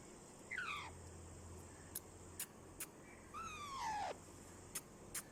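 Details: Talking ringneck parakeet producing two scratchy calls that fall in pitch, the second longer and drawn out, with a few sharp clicks and a faint hum behind.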